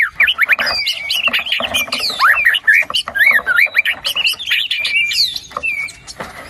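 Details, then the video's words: White-rumped shama in full 'gacor' song with 'isian' fill-in phrases, played as a lure to rouse a quiet shama: rapid, varied whistled phrases, rising and falling slurs and sharp chips tumbling together without pause. "PANCINGAN MURAI BATU GACOR ! BONGKAR ISIAN ! NAIKAN MURAI BATU MALAS BUNYI AGAR CEPAT GACOR !"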